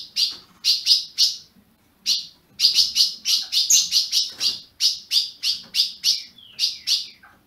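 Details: Captive azulão (ultramarine grosbeak) from a Brazilian breeder chirping in lively clusters of bright notes, a short silence after the first second, and one high thin whistle.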